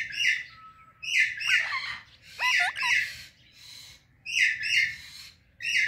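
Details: An Indian ringneck and an Alexandrine parrot kept together chirp loudly one morning, giving clusters of raspy, ringing chirps roughly every second, with a short wavering whistle between them.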